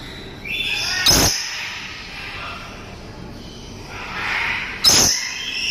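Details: Captive-bred dusky lory screeching: a raspy, buzzy call early on and another longer grating screech near the end. Loud knocking sounds interrupt twice.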